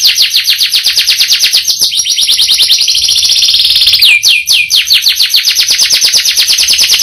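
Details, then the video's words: Canary song with a long roll: rapid pulsed trilling, a smoother sustained stretch, then a few sharp downward-swooping notes before the fast trill resumes. "Burung Kenari Gacor Roll Panjang Isian Mewah"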